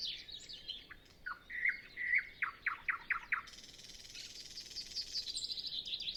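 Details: Windless early morning before dawn, only a nightingale singing: sharp whistled notes, a run of loud repeated chopped notes, then a sustained buzzy high trill. Zoom F6 and Sennheiser MKH 8040 recording.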